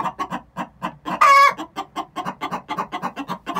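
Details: Hens of six months giving the pre-laying egg song: an even series of quick clucks with one loud strident drawn-out squawk in the middle.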